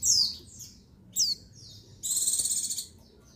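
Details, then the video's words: Female white-eye call to rouse males into song, dated 22/6/21: two sharp downward-sliding squeaks, then a long, evenly pulsed buzzy trill. "Call Pleci Betina Perangsang Birahi Jantan"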